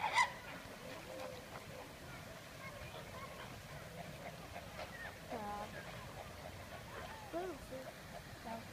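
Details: A Chilean flamingo (Phoenicopterus chilensis) at Prague Zoo gives one loud, goose-like honk at the start, then fainter nasal honks later over a murmur of background voices.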